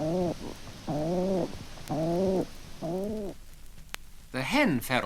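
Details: A feral pigeon hen and her young squab call together at the nest with some wing flapping. The hen gives four low, gruff coos about a second apart, and the squab follows with a higher, squeaky call near the end.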